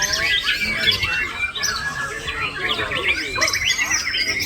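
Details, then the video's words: Male white-rumped shama singing with lorikeet mimicry fill: rapid, dense bursts of high chirps and sharp rising and falling whistles, tumbling without pause amid a busy chorus of other birds. "Menembak isian Perkici"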